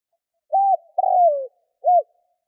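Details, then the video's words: Decoy spotted dove cooing to draw in wild doves. One full phrase: a brief arched coo, a longer burry note falling in pitch, and a final short coo. No other sounds. "Chim cu gáy kích bổi nhanh nổi"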